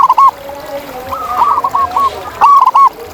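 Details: A wild local zebra dove gives short bursts of quick, rounded coos at the start and end, with a looser run of softer coos from another dove in between.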